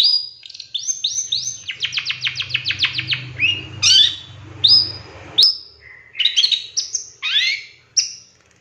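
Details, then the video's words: Long-tailed shrike in a lure recording with a rich filler of mimicked phrases: a rapid run of downslurred whistles, then scattered sharp chips and bright rising-falling notes, over a low rumbling hum. "Suara Cendet No #1❗Masteran Pancingan Cendet Isian Tembakan MEWAH"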